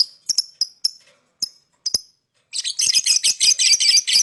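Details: Lovebird chirping to lure other birds: a few spaced, sharp high tweets, a pause, then a continuous stream of raspy, chattering chirps.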